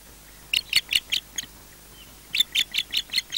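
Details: Osprey at a nest at Loch Garten, Scotland, calling while defending the nest as another osprey returns: a burst of five sharp, high whistled yelps, a pause, then a faster run of seven similar notes.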